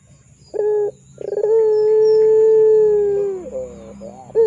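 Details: Barbary dove of the pelung type, a lure recording for young doves: a brief clipped note, then a rapid stutter building into a long, steady, hollow coo that wavers and falls at the end, followed by short notes.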